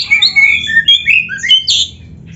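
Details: Oriental magpie-robin song, played for training songbirds: a loud, rich run of varied whistled phrases, some sliding up and others dropping, mixed with sharp, bright notes and short squeaky bursts, repeated in quick succession.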